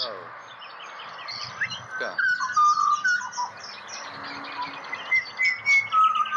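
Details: Australian pied butcherbird singing after a person's prompt, with a few words at the start, then clear, pure whistles held and sliding between phrases, repeated in short bursts over chattering birds in the background.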